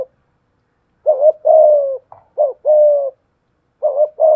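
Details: Spotted dove decoy ('thổ pha thúc' voice) cooing at a wild rival: three phrases of a short wavering note and a longer steady coo, after a silent opening second.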